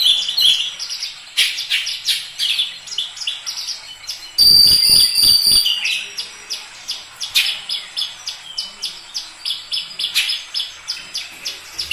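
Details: Oriental magpie-robin singing a fast series of short clipped chirps and whistled notes, about three per second, broken by a harsh loud rattling burst midway, then resuming the rhythmic chirping.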